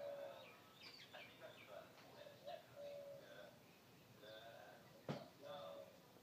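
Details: Three Australian magpies carol in the morning in rich, fluting, warbled phrases of varied pitch, with a single sharp knock partway through; Australian magpie.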